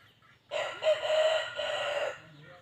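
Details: Red junglefowl crowing: one loud, harsh crow of about a second and a half, rising into a strained, sustained middle part and then cut short, over a quiet background.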